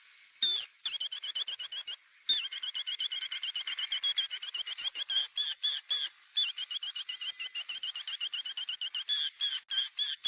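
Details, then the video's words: Lure recording of a lapwing for net trapping: long rapid trains of short, high, clipped notes, many per second, briefly broken by single longer downswept cries. "Tiếng chim te te mỏ vàng cực nhậy .đánh lưới chuẩn nhất"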